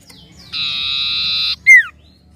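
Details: Common iora from an untrained 'bahan' lure recording: one sustained harsh buzz lasting about a second, immediately followed by a strong, steeply falling clear whistle.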